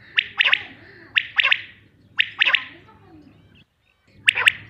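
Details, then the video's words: Male common quail calling: its sharp, liquid three-note 'wet-my-lips' phrase, repeated about once a second, with a pause before the last phrase; a faint low hum behind. "batair calling voice male"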